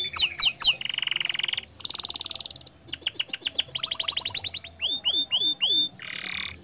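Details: Energetic canary song serving as a lure for other canaries to sing: quick alternation of buzzy rolls, sweeping chirps and fast trills, with brief pauses between phrases.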